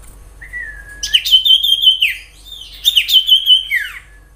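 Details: Common iora song used as a lure for other ioras: a long flat whistle, then two bursts of bright, wavering whistled notes near the top of the voice, each ending in a quick downward slur, on a clean quiet background.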